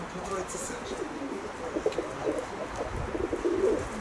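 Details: Pigeons cooing softly in low, murmuring pulses that run almost without a break, with occasional faint human voices and light background noise.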